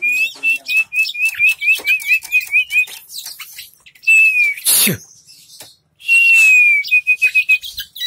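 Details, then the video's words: White-rumped shama, a caged bird fanning its tail, sings a run of clear whistled notes near one pitch, then long sliding whistles with short gaps, broken by a loud noisy burst midway. "burung kacer super buka ekor"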